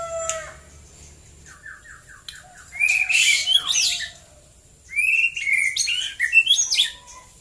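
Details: In Prambanan, Klaten, Central Java, a white-rumped shama sings in the morning: a quiet start of short repeated notes, then two loud bursts of rich whistles and chatter, with a steady high hiss throughout.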